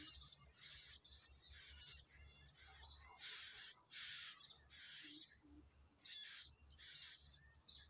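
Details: Yellow-bellied prinia feeding its young in the wild: harsh, buzzy broadband bursts repeated roughly every half second to second, over a steady high insect whine that runs throughout.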